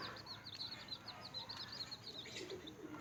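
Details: Baby chickens, newly hatched, chirping continuously: a dense stream of high, falling peeps, several per second, with faint background hiss.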